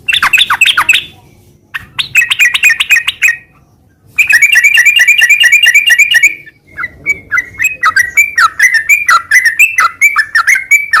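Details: A sooty-headed bulbul pours out ngeropel-style song in bursts: clusters of fast chirps, a long run of rapid tinkling notes, then spaced, slurred whistles, with brief silences between phrases.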